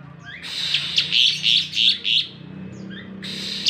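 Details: Asian pied starling singing in the morning: a run of five harsh, buzzy bursts spaced about half a second apart, framed by faint thin chirps, with a low background hum.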